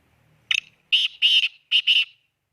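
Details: Black francolin call: loud, harsh, grating notes, one short clipped note then two longer rasping ones, a brief pause and two more, in a crisp quiet setting.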